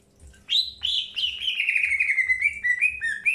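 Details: Greater green leafbird in early pairing, two sharp chirps leading into a continuous, slightly descending warble of rapid whistled notes lasting about two seconds.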